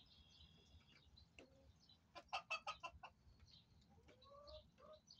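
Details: Backyard hens relaxing and eating in their coop give a quick burst of about six loud, harsh clucks, with softer scattered chirps and faint low rustling around them.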